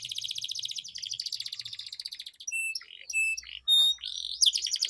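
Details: Canaries used as a lure for competition birds: a rapid pulsed trill, then pure sustained whistles and buzzy notes, with a faint low hum in the background.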